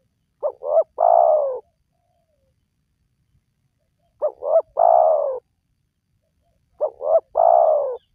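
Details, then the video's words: Spotted dove call, used as a lure to get lazy wild doves calling: three phrases about three seconds apart, each two short rising notes followed by a long, throaty coo that slides downward. There are no other sounds against the quiet background. "Jitu 100% Pemancing Burung Tekukur Yang Malas Bunyi,Langsung Rajin Bunyi"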